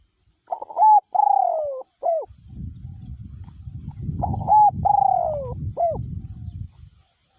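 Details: Spotted dove, a caged decoy bird with a small-to-medium voice, kept cooing in strong wind: two phrases of clipped notes and a long falling coo ending in a hooked note, with gusting wind roaring low between them.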